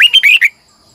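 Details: Red-whiskered bulbul lure bird in morning song, long double-twisting style used to call wild birds: one brief, loud burst of four quick slurred whistled notes, then silence.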